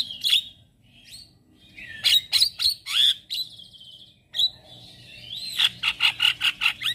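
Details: Morning song from a male black-winged starling, used to lure and tutor starlings: scattered whistles and squawks, ending in a rhythmic series of loud harsh notes about five per second.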